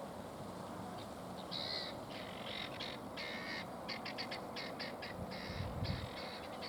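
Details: At Lakenheath, Suffolk, UK, on 30 September 2015 around 5:19 pm, helmeted guineafowl give harsh, rapid, rattling calls in quick repeated bursts.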